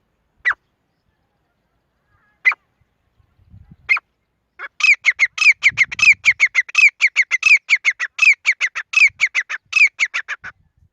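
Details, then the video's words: Grey francolin, female, opening with a few isolated sharp notes spaced over four seconds, then breaking into a fast, regular series of short harsh squawks repeated several times per second. "Grey Teetar ki Awaz | Super Quality Partridge Sound | Grey Francolin all Time Best Voices"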